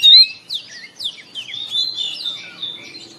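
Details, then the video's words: Oriental magpie-robin singing in the morning: a loud, clear whistled note opens, followed by a tumbling run of varied sweeping whistles and chirps that soften toward the end. "TERAPI KACER BIKIN RAMAI OCEHAN DI PAGI HARI"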